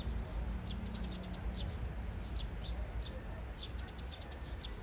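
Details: Sparrows courting, two birds chattering noisily at a third; rapid high chirps and curved slurred notes in clusters, roughly three per second, over steady low background hum.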